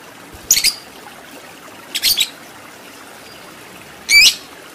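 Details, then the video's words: Lovebird in a tutor recording meant to train fighter birds in long ngekek chattering; three separate shrill, high chirps spaced over several seconds, the last a rising squeak, against a soft hiss. "Masteran Lovebird Agar Cepat Menjadi Lovebird Fighter Ngekek Panjang"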